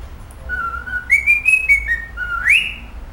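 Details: Cockatiel whistling a practised tune: a level note, a rising step to higher held tones, a dip, then a quick upward slide ending on a sustained whistle.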